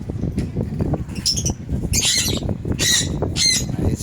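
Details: Lovebirds calling in a colony, giving short harsh high squawks in bursts, two or three close together, over a steady low rumble of background noise.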